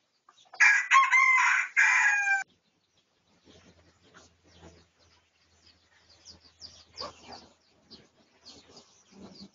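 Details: Red junglefowl of the Pradu colour, research recording dated 18 August 2023: a loud, raspy crow of nearly two seconds in broken segments, followed by quieter rustling and distant chirps.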